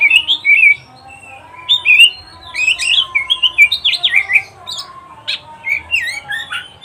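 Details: Oriental magpie-robin, or kacer, singing in a pet-training recording: continuous lively medley of short whistles, slurred sweeps and harsh chips in quick succession.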